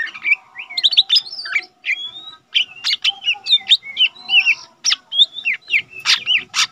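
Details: Lesser green leafbird recorded as a tutor for training cage birds: a busy, fast stream of varied whistles, sweeps and sharp chirps, delivered almost without pause and rich in mimicry-like changes of phrase.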